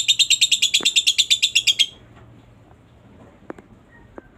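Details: Lovebird chatter used to stimulate other lovebirds; a rapid burst of shrill, evenly spaced high pulses lasting under two seconds, then near silence with a few faint clicks.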